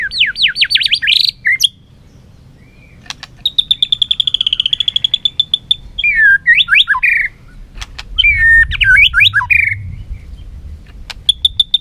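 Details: Competing white-rumped shama, tail flicking as it sings: fast trilled bursts, a long buzzy rattling series of rapid repeated notes, then swooping whistled phrases and chatters, ending in short high trills.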